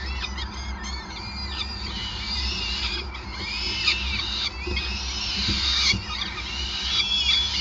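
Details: Peregrine falcons being fed at their nest on the Gasunie building, Groningen, Netherlands, 5 May 2020; a dense run of rasping, high squeals and chittering notes rises and falls throughout, with a low mechanical hum underneath.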